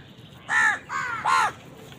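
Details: House crows fighting with wild birds for food, giving three loud harsh caws in quick succession, each arched and nasal with strong harmonics, the middle one slightly softer, over faint background noise.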